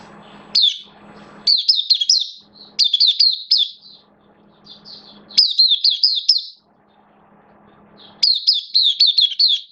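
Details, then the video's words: Caged oriental white-eye in buka (open) song, 11 September 2022, form dipped slightly: repeated short bursts of quick, high, squeaky twittering separated by pauses, over a low steady hum and some faint rumbling. "Mata Puteh Kitaro Buka Sing"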